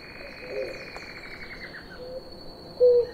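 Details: One of a pair of blue ground doves drinking water gives short, low, hollow coos, one soft and one louder near the end, over a steady high insect whine and a falling buzz.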